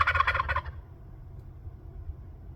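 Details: Quick, throaty gobbling rattle from wild turkeys on Orcas Island in April 2024, birds that come up to a patio and roost high in trees; the burst lasts under a second, then only faint low background rumble remains.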